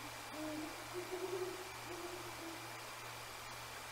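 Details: Two Great Horned Owls calling back and forth at night near the Decorah North eagle nest in January, heard but unseen; soft, low, distant hoots in a short series, nearly buried in hiss and a steady electrical hum.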